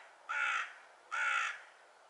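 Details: Hooded crow (Corvus cornix) at Žale cemetery, Ljubljana, on 7 February 2023, gives two harsh, hoarse caws, each under half a second, about a second apart, over quiet background hiss; call.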